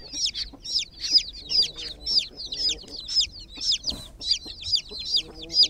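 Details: Chicken chicks in a water pool, described as groggy, give clear, high, piercing peeps, roughly two per second in an uneven rhythm. A few faint low knocks are also heard.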